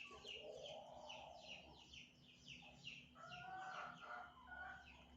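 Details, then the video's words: African grey parrot beginning to chirp: a quick series of short, high, downward-sliding chirps, joined around midway by a few longer, lower warbling notes, over a steady low hum. "Burung African grey berkicau"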